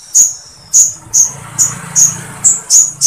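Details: Sooty-headed bulbul singing woodpecker-like material meant for training other birds: short, piercing, high chips repeated about every half-second over a low background hum.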